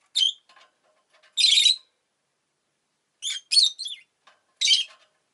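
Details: Harsh, scratchy chirps from a pet rosy-faced lovebird, a longer buzzy note followed after a pause by a quick run of three clipped calls and one more.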